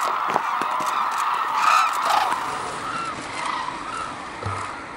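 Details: Hooded and White-naped Cranes at Arasaki Crane Center, Kyushu, Japan, in snow; a loud, clear trumpeting call rises above a noisy flock chorus, followed by several fainter bugling notes.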